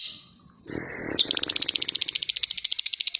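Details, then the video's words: Lovebird starting with a faint note and some rustling, then breaking into a quick, steady chatter of repeated sharp notes. "Lovebird Latah Ngekek Panjang dan Jernih"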